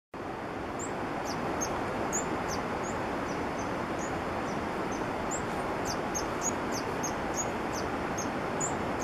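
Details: A green-and-white hummingbird in Peru gives very high, thin, sharp chips, repeated irregularly about three times a second over a steady roar of wind or traffic.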